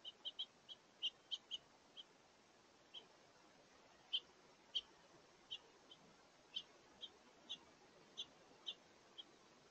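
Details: Several House Finches flying in to a bird feeder for a midday meal on a warm, windy day, 16 November 2023; short, bright chirps come singly and in quick clusters, about twenty in ten seconds.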